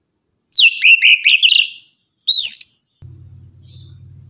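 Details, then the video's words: Orange-headed thrush in tembakan morning song: a rapid rolling series of wavering whistles, a short upward swoop, then a steady low hum takes over. "Anis kembang tembakan gacor pagi hari"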